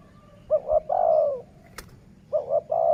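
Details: Cooing dove used in decoy luring: a two-note pickup and a long sustained coo, repeated twice. A sharp click falls between the phrases.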